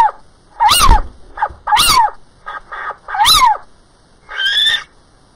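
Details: Little owl recorded on 28 April 2010. It gives loud, harsh, descending calls with a yelping quality, roughly once a second, mixed with shorter rasping notes and a final higher drawn-out call.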